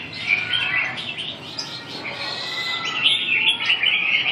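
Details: Red-whiskered bulbul giving rapid, jumbled chirping phrases at about two per second, lively throughout but partly blurred by a rough, noisy background.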